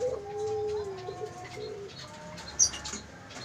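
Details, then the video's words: Barbary dove at a bird farm giving a low rolling purr-like coo: a sustained mellow tone broken into a few short segments in the first two seconds, followed by a single sharp click and faint background hiss. "Suara Burung Puter Mendengkur"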